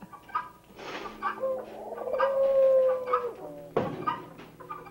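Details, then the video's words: Helmeted guineafowl, a farm bird kept as a noisy watchdog, giving loud, carrying, harsh grating cries in ragged bursts with one longer strained note in the middle. "Think you'll know a guinea the next time you hear one?"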